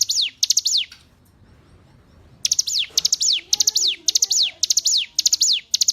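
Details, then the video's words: Hill prinia singing for use as a training recording for caged songbirds: rapid high clicks followed by a downward-sweeping slur, phrases repeated in steady runs after a brief silent gap. "Masteran Ciblek Gunung"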